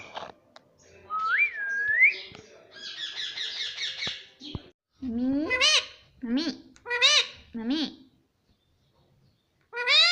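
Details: Pet parrot talking, saying mummy: a rising whistle and a buzzy chatter, then a run of short, harmonic, two-part words repeated about once a second, with pauses between.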